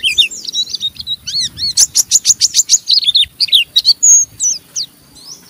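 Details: Oriental white-eye chattering roughly ('ngeriwik') to provoke a rival into singing; high twittering slurs, then a fast train of sharp, evenly spaced chips, tapering into softer thin whistles.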